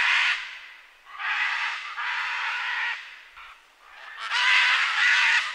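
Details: Screaming scarlet macaw, Ara macao, giving coarse, grating squawks, some drawn out for nearly a second, repeated several times with short pauses, rising to a loud final scream.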